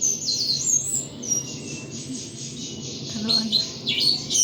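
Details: Household thrush singing at full intensity: rapid high chattering notes and thin whistles run together, with scattered sharp accents and low background murmur.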